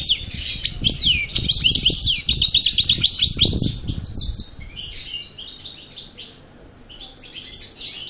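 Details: European goldfinch of the parva subspecies, just out of moult, singing a fast, unbroken stream of bright twittering and trilled notes mixed with buzzy, scratchy phrases. Low thumps and knocking noises sound beneath the first half.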